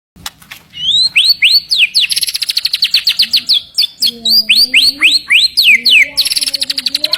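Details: White-rumped shama (murai batu), kept fighter-type songbird valued for its strong 'tembakan' bursts: rapid series of loud rising-then-falling whistled notes and sharp clicks, repeated about four per second, with a faint low warble beneath.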